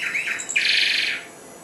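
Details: Brief phrase from a four-month-old goldfinch hybrid taking up song: a short wavering note followed by a sustained harsh, buzzy rasp lasting about half a second.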